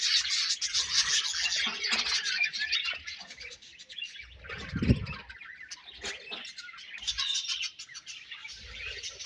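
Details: Many budgerigars chirp together in a colony, a thick band of rapid, scratchy twitters, with one louder low thud midway and chatter continuing to the end.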